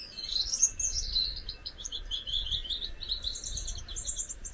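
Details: Gouldian finch, one of a pair, singing a very high, thin, continuous warble of buzzy trills and squeaky notes that keep shifting in pitch. A soft low rumble sits underneath.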